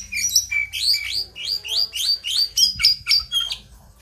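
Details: Male brown jongkangan in vigorous song, rolling and fluting: a run of rising whistled slurs repeated about four times a second, then sharp high chips, with a low hum behind.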